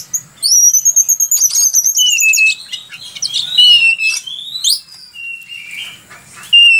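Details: Kacer, the oriental magpie-robin, in vigorous gacor song for songbird training: rapid descending whistled trills at the start, then varied sharp slurs, upswept notes and drawn-out level whistles with brief harsh touches, over quiet low background rumble.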